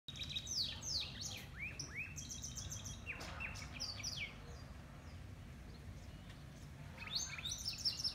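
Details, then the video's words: Wagtail at Taj Gateway, Chikmagalur, singing a lively twittering song of quick, high chirps and sweeping notes in bursts, over a steady low rumble. "Wagtail song"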